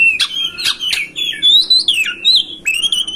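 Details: Oriental magpie-robin master song for prompting a caged kacer to fan its tail and sing: loud sweet whistled notes sliding up and down, mixed with a few harsh chips, continuous and melodic.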